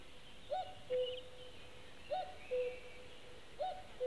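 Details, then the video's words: Common cuckoo calling near a white-tailed eagle nest webcam in Latvia on 15 May 2018, during chick feeding; three two-note cu-ckoo calls, the first note higher and the second lower and longer, repeating about every one and a half seconds, with faint high bird notes behind. "dzeguze kūko"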